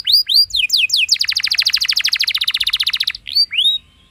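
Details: Canary singing a rolling song meant to set other canaries singing: a few quick, high, falling whistled sweeps, then a long rapid trill of repeated notes for about two seconds, ending with two more descending sweeps.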